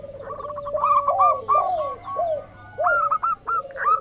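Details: Local zebra dove calling to lure other doves into answering: staccato high coos and low descending slurred notes interleave, then a quiet gap before renewed clipped bursts.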